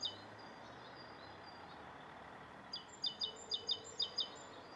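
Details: A Rose-coloured (Rosy) starling in Bishopston, Bristol, on the morning of 29 November 2014, gives a quick series of six or seven short, high chirps, about four a second, after faint thin whistles, over a steady low hum.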